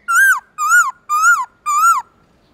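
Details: Black-throated laughingthrush in the morning, singing "forest voice" song with long loud notes: four evenly spaced mellow whistles, each gently arching and falling at the end, in a quiet setting.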